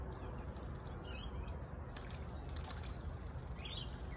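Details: Singing honeyeater giving short, high chirpy notes, a cluster near the one-second mark and another toward the end, against steady low rumbling background noise.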